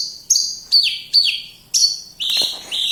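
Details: Javan bush lark from Kediri giving a few sharp, high notes, each with a falling whistled tail, then a harsher burst and two longer flat notes.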